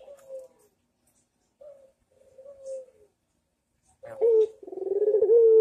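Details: Energetic cooing from a Barbary dove on a master recording for training birds: two soft, short coos, a pause, then a loud, throaty, pulsing coo that dips and rises.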